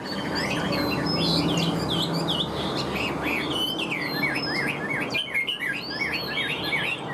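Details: Caged Chinese hwamei offered for sale, a tame bird with a fanned tail and a good voice, singing a continuous stream of varied, high whistled phrases with quick rising and falling slurs, over a low steady hum.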